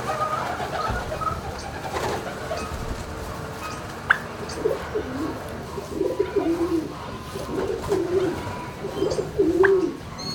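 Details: Midday in a turkey barn on 26 March 2019: after a quieter start, short quavering calls from several birds repeat irregularly through the second half, set against a constant low barn drone.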